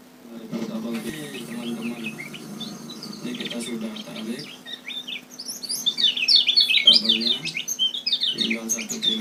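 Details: Lemon-bellied white-eye song from Lombok, used as a bird-catching lure: after several seconds of talking, a fast, tumbling run of high chirps and twitters rises to loud, excited chatter near the end.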